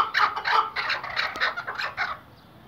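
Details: Chukar partridge, Iraqi hunting bird, delivers a short flurry of raspy clucking notes that trail off and stop after about two seconds, leaving quiet.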